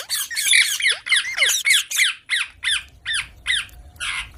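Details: Young Indian green parrot producing a rapid run of harsh, buzzy squawks, about three per second, each with a downward-bending whistled edge, in a small indoor space.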